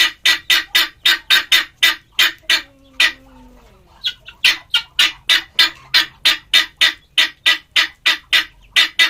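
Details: Male helmeted guineafowl calling in rapid, raspy repeated cackles, several per second; the series pauses for about a second while a faint low whistled tone is heard, then the harsh notes continue.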